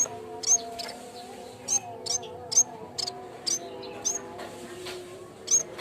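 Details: Yellow-bellied warbler (cikrak bambu) lure song for training other birds: very high, thin, sharp chirps, often as quick doubled notes, repeated irregularly every second or so over a steady low hum.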